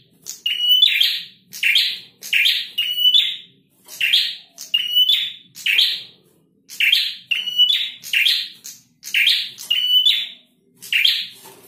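A male prinia sings loud, high, buzzy chattering phrases about once a second, each a rapid, slightly rasping burst, with no other sounds.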